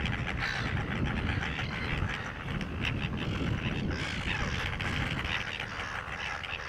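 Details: Crested terns sitting tight on nests at a breeding rookery on Penguin Island, Western Australia, call in a steady din of harsh, grating calls from many birds as marauding Silver Gulls hover or wait nearby; gulls mixed in, low wind rumble.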